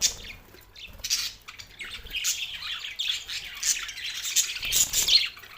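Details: Budgies kept as pets, two males, give broken bursts of high squeaky chirps and short scratchy squawks, with brief quieter gaps between the phrases.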